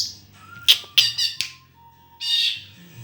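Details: Murai (white-rumped shama) giving sharp snapping notes and short harsh bursts, with a faint thin tone held underneath, ending in a dense buzzy rattle.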